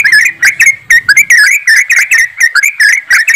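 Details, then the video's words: Group of yellow-vented bulbuls in fast 'ropelan' song, played to coax birds into singing; continuous liquid warbled notes rolling up and down in quick succession, a faint low hum at the start. "TRUCUKAN ombyokan,TRUCUKAN ROPELAN untuk bahan cepat bunyi"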